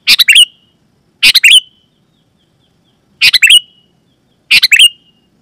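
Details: Lure call of a sooty-headed bulbul, loud and clean, meant to start other bulbuls singing. Four quick bubbly phrases, each a cluster of rapid notes ending in a short trailing tone, spaced irregularly.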